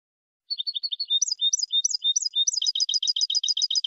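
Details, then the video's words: European goldfinch song used for teaching captive birds: short paired chirps, then higher buzzy two-note phrases, breaking into a fast even rattle of repeated notes. Background is clean and silent. "تعليم الحسون أفضل تغريد في العالم بدون أخطاء"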